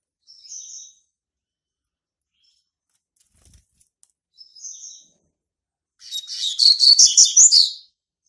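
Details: Young male Double-collared Seedeater, born March 2019, establishing territory: two soft, high whistled notes spaced several seconds apart, then a loud, rapid, chattering phrase of bright chirps.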